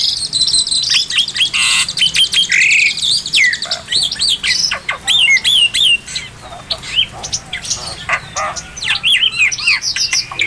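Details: Singing oriental magpie-robin, recorded as tutor song for captive birds: a rich, varied stream of rapid whistles, trills and sharp slurred notes, delivered almost without pause.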